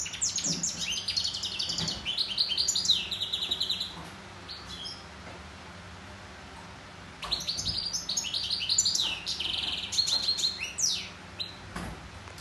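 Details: A European goldfinch (Carduelis carduelis) sings two long bursts of bright, tinkling twitters mixed with quick liquid trills and buzzy notes, separated by a brief pause.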